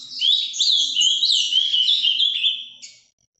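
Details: Live recording of an ultramarine grosbeak singing in the Paraná vinte vinte style: a continuous loud warble of stepped, descending whistles lasting nearly three seconds, ending abruptly.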